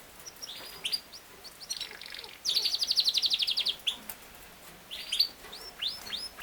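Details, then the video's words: Yorkshire canary, or king size canary, sings soft twittering notes, then a loud rapid rolling trill for over a second, followed by quieter chirps and a few bright upward-flicking whistles. "BEST CANARY SINGING | your Canary will sing within 5 minutes | Canary ki aawaz"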